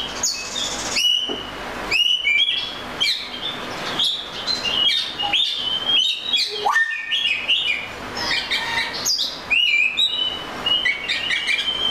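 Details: Melodious song of an Oriental magpie-robin: sharp whistled notes, short trills and warbling slurs delivered in rapid, varied phrases, one upward-sweeping whistle near the middle, with faint background hiss.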